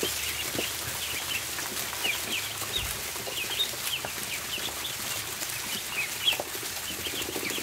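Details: Barn ducklings at feeding time: many short, high-pitched peeps overlap continuously, some sharper upward chirps stand out, and dry pecking clicks and rustling run underneath.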